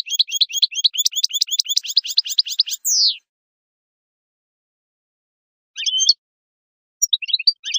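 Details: European goldfinch singing for young goldfinches to learn: dense rapid twittering for about three seconds ending in a falling buzzy note, followed by silence and a few scattered high chirps.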